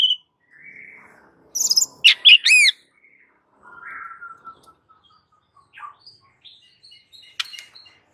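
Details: White-rumped shama in raging fighting song, kept as a training master: loud clustered chips and looping whistles, then quieter slurred whistles, a long falling note and scattered high notes.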